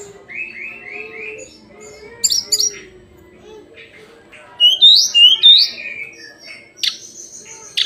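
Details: Tledekan gunung, the hill blue flycatcher, in daily song: a soft series of repeated upslurred whistles, faint pauses, then two louder rising whistled notes and a sharp high note.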